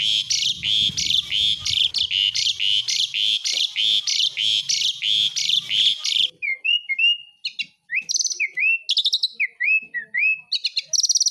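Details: Asian pied starling in gacor besetan song: about six seconds of rapid, grating buzzy chatter, then a series of clear whistled slurs and sharp chips.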